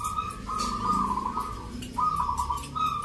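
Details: Zebra doves, locally called perkutut, competing in a rhythm-song contest in Yogyakarta, Indonesia, on Sunday 19 November; a clear repeated cooing phrase held near one pitch, with faint crowd murmur beneath.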